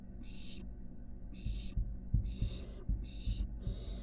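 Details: Barn owl nestlings at a nest box attached to a University of Florida building, nearing fledging; five breathy screeching hisses, the later ones closer together, with soft thumps and knocks underneath.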